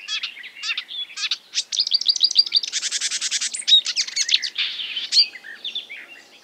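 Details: Marsh warbler (Acrocephalus palustris) in full imitative song: rapid chattering notes build into a dense buzzy passage, then break into whistles and sweeps before trailing off.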